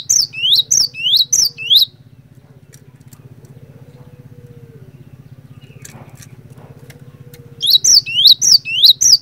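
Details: Cinereous tit (glatik batu) song meant to set other tits singing: bursts of rapid paired whistles, rising then falling, open and close the stretch, separated by several seconds of only a low rhythmic hum and faint ticks.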